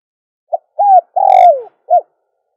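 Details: Dove calling, used to lure other doves. One four-part cooing phrase: a quick low note, a rounded coo, a long drawn coo falling at its end, and a short final note, clear and isolated.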